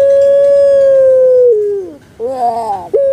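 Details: Barbary dove of the Indonesian puter pelung variety, kept by its owner: one long even hooting note sliding downward, a short pause, then a wavering gurgled phrase and the start of another note.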